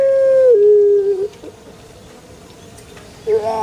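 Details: Pelung chicken crow, heard only at its close: a steady held tone that drops lower and fades after about a second, then a quiet pause before a new rising note begins at the very end.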